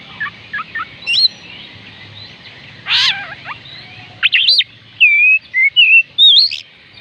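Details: Song of an Oriental magpie-robin, played to get reluctant birds singing: scattered thin chips, a harsh burst, then a run of sweet whistled and slurred notes, some rising, some dipping, over soft hiss.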